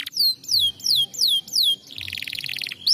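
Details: Canary singing, used to stimulate lazy canaries: five loud descending whistled slurs about every half second, followed by a rapid buzzy rattle and a rising note at the end.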